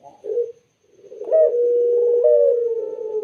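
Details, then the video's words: Barbary dove kept as a pet bird, valued for its clear, soothing voice. It gives a short low coo, pauses briefly, then delivers a long drawn-out coo with a rolling vibrato that slowly falls in pitch. The setting is quiet and indoors. "BURUNG PUTER SUARA JERNIH DAN SYAHDU"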